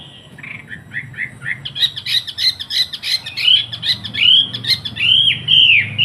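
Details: Master song of a Wambi bird kept in Surabaya, meant to teach young trucukan bulbuls. Soft chirps build into a loud stuttering trill, followed by clear, swooping whistles that arc up then down.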